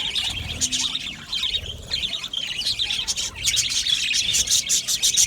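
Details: Colony of budgerigars in an aviary, rapid high twittering chirps from many birds, growing busier and louder in the last two seconds.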